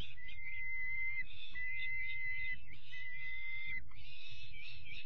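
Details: Peregrine falcon chicks at their evening feeding on 5 May, long level whistled squeals about a second each, separated by short pauses, with constant low rumble beneath.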